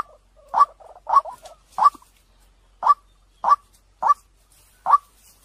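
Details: Lure call of a white-breasted waterhen, described as clear and bringing birds in quickly: a brief stuttering, bubbling start, then single harsh croaking notes spaced roughly every half to one second, in an otherwise quiet background.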